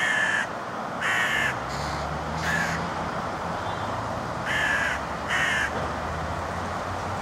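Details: Young hooded crows at Gorenki railway station, Balashikha, Moscow District, Russia, 15 June 2011, give six harsh, hoarse caws, each about half a second, in uneven bursts over a low steady rumble.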